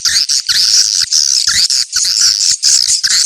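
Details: Swiftlet 'ceklok' calling sound for luring birds to a location. Shrill, slightly rising twittered phrases last about half a second each and are separated by short silent breaks.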